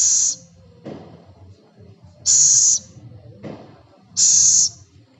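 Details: Scops owl (celepuk/ceguk) producing three loud, breathy, high-pitched hisses of about half a second each, spaced near two seconds apart, with soft low knocks between them.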